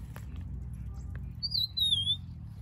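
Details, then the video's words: Rufous-naped lark singing a single clear, high whistled phrase that slurs down and then levels out, a few soft clicks earlier, over a low background rumble; brief wing flapping at the end. "Rufous-naped Lark Singing beautifully-also short wing flapping"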